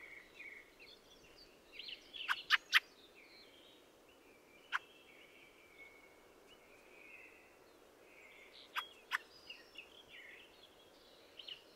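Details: Fieldfare (Turdus pilaris) singing a squeaky, chattering warble with a burst of three harsh clacks early, a single clack mid-way, and a double clack later amid further twittering.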